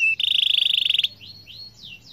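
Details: Atlantic canary in continuous song meant to set off other canaries: a loud, fast pulsed trill for about a second, followed by softer, slurred whistles sweeping down and up.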